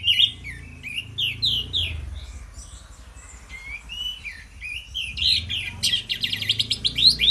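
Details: Two orange-headed thrushes in loud morning song, used as a lure: quick downslurred whistles in a steady series, then a long warbling passage ending in rapid buzzy repeated notes, over a low background hum.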